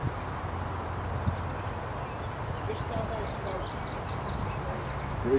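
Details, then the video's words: Yellow-throated Warbler at Connetquot River State Park singing a high, sweet series of about ten quick down-slurred notes, faint over a steady low rumble and a few human voices. "Yellow-throated Warbler"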